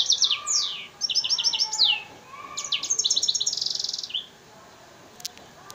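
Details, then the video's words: Hybrid F1 African singer crossed with Mozambique serin, Souk Ahras, delivering a nearly continuous run of high notes: sweeping downslurs, rapid repeated trills and chattering phrases, then a brief quiet gap. "Hybride F1 chanteur d Afrique x serin Mozambique يخدم تغريد"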